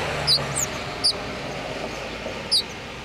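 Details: House finch nestlings in Utah, in a nest built in a front-door wreath and being fed by their mother, give four thin, high, squeaky notes, spaced irregularly over three seconds, against a steady low background hiss.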